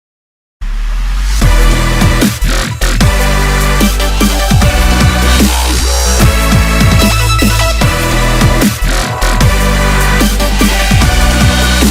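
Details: Loud electronic dance music with heavy bass and fast drums throughout; no animal voice can be picked out.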